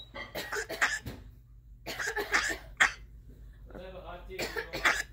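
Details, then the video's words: African grey parrot indoors mimicking a child's coughing: several rough, hacking bursts with a throaty rasp between them, over a room hum. "African grey parrot mimicking coughing"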